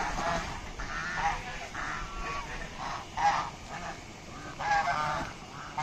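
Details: Local domestic geese (raj hash) honking in short nasal bursts spaced about half a second to a second apart, some calls fainter than others, over constant low background hiss.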